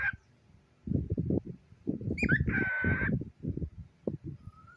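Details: Household cockatiel chatting with a toy pig, giving one long, steady, harmonic screech lasting nearly a second amid low, choppy human-like voice sounds, with a brief rising note at the end.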